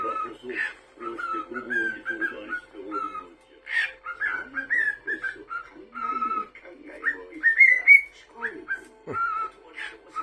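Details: Pet cockatiel whistling over a television programme, interrupting the viewing: a long run of short clear whistled phrases, some held, some rising, repeated throughout, partly masked by spoken dialogue from the show.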